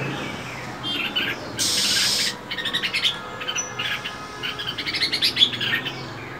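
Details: A female than songbird calling nonstop in freezing winter: one loud hissing burst, then a long run of quick, high, chattering chirps.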